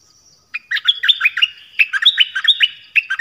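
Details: Nok dok taeng, 'phleng boen' song style, played for young birds to copy. A continuous lively string of sharp whistled notes, each dropping quickly in pitch, delivered in quick succession.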